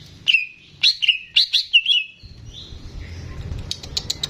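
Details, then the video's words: Greater green leafbird in a cage, the keeper's own bird singing freely, recorded for tutoring young birds: five or six bright whistled notes in quick succession, then softer high twittering over background hum. "CUCAK IJO GACOR"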